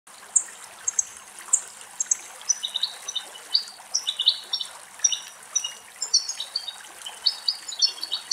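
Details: An adult European goldfinch drinks from a cool running spring in a Greek forest and sings a quick, tinkling stream of high twittering notes and liquid trills without pause, with water trickling softly underneath.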